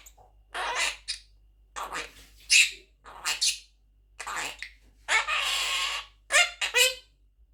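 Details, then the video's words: An 11-month-old pet Quaker (monk) parakeet talking, chattering in short, raspy, speech-like bursts, about eight phrases over several seconds, with a sharp squawky quality and brief pauses between. "Quaker Parrot Talking | Parrot Speaking"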